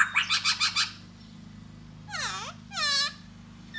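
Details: Da bò laughingthrush courting a female with song and dance: a quick burst of five rapid notes, a pause, then two buzzy harmonic calls that sweep down and back up, with a background hum.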